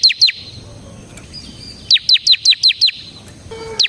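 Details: Bar-winged prinia, known as ciblek semi, used as a lure: two sharp chips, a quiet gap with a faint whistle, then six evenly spaced downslurred notes and a final chip.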